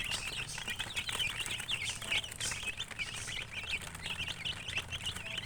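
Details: Chicks calling in a busy flock, high repeated peeps rising and falling in quick succession, a few sharper loud chirps, plus occasional soft rustling and flapping.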